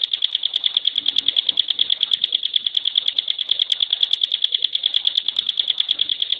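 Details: High rattling trill from a caged contest-bird Bar-winged Prinia (ciblek pinus): fast, regular, shrill notes run on without a break in the dense 'tembakan' fashion.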